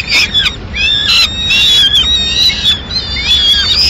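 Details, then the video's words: Peregrine falcon at a Madrid nest as the female arrives with pigeon remains at mid-morning; shrill, slurred wailing notes follow one another closely, some dipping and rising, with a faint low background rumble. "Halcón peregrino"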